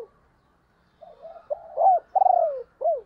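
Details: Spotted dove hen kept as a decoy, cooing to excite wild doves; soft murmuring coos build into a strong, buzzy, downslurred coo and a final short coo, recorded close and clean.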